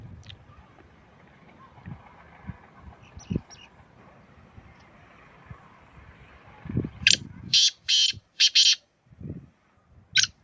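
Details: Black francolin (kala teetar) calling after several seconds of quiet background with low thumps and faint chirps; a burst of harsh, rasping notes comes in quick succession, then a final single note after a short pause.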